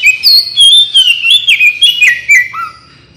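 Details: Oriental magpie-robin (kacer) singing gacor, recorded to lure and train birds: a fast, varied chain of sweet whistles and sharp chips, ending in a lower drawn-out note that fades to quiet.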